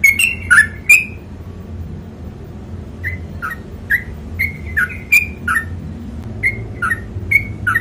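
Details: Sooty-headed bulbul singing in the long rapid 'ropel panjang' style, used as a tutor recording: short bright whistled notes alternating high and low, in bursts separated by a pause, over a low steady hum.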